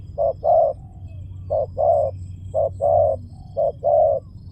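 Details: Soft hollow coos from a spotted dove, short note then a longer rounder one, repeated in four pairs with a faint sliding tail between, against a low background drone.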